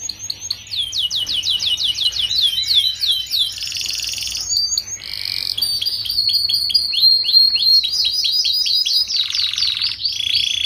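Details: Song of a young canary, used to tutor groups of young canaries so they begin singing sooner. Fast repeated whistled notes alternate with buzzy rattles, rolling trills and sharp chirps over about ten seconds.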